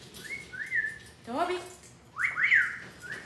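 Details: Pet Amazon parrot at home, crying because it is not given attention after being left alone: loud whistled notes rising then sliding flat, a hoarse descending squawk in between, then two more bright whistles, quiet room noise behind.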